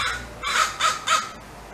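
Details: Distress cawing of a crow summoning other crows to help defend territory: three harsh, hoarse caws in quick succession, each about a fifth of a second long.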